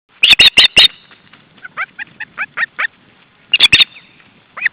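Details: Osprey at its nest in July 2012, the day after the chicks were ringed, raising an alarm at an intruder: bursts of four loud, sharp, high notes, separated by softer, quicker falling notes, then the loud burst returns.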